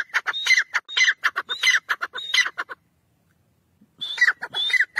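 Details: Francolin (teetar) calling: harsh, rhythmic bursts of squawking notes with whistled rising elements, repeated in quick series, a pause of about a second, then the series resumes.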